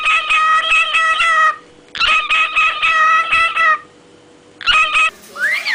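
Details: Parrots in noisy chatter: long raspy, buzzy squawks repeated in bursts with brief gaps, ending in a short rising whistled note.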